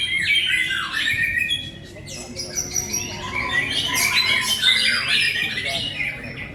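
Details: Song of a white-rumped shama: rich, varied whistles and buzzy chatters tumbling quickly, some clear sustained tones mixed with scratchy trills, continuous throughout.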